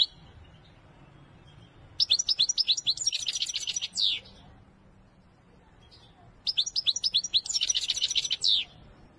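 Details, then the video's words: European goldfinch singing Wedani style: two long bursts of rapid, liquid twittering, each about two seconds of high tumbling notes ending in a buzzier stretch, separated by a quiet pause. "أقوى تغريد الحسون الويداني"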